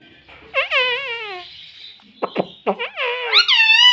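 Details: Talking pet parrot, taught mummy and papa, produces a long, bending, nasal call, then a stretch of clicks and choppy syllables, ending in a rapid run of rising squawky, word-like notes indoors.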